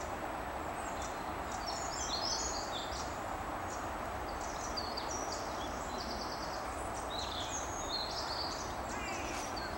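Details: Eurasian blue tit in the Ooijpolder, Netherlands, giving thin, high-pitched call notes over a steady background hiss.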